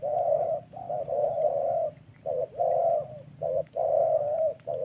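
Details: Central Highlands spotted dove from Vietnam, tied to decoy trapping, coos in the "thổ" style: long smooth hoots and short clipped notes alternate, softer and slightly distant-sounding.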